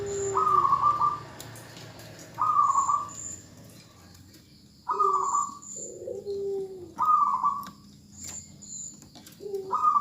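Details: Calling female zebra dove meant to make a male start singing; repeated short vibrating coo bursts every one to two seconds, each paired with a lower, drawn-out coo, thin high chirps now and then.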